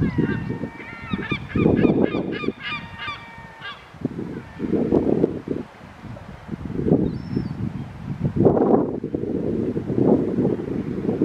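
An immature kelp gull gives a quick series of harsh, nasal, honking notes over the first few seconds, then the gull fades into steady rumbling wind and surf.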